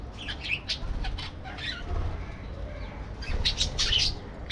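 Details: Caged parakeets in an aviary chirp and squeak in loose bursts, quieter in the middle, then a louder run of sharp tweets near the end.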